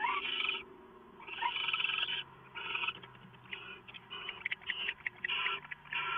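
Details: Two owls, a bonded pair, calling to each other before dawn on 22 September 2014 ahead of roosting: repeated harsh, breathy screeches in short bursts of under a second, separated by brief pauses, with a faint low hum underneath.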